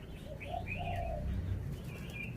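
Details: Caged red-whiskered bulbul showing off its song phrasing: soft warbled, gliding notes in short phrases over a steady low rumble of background noise.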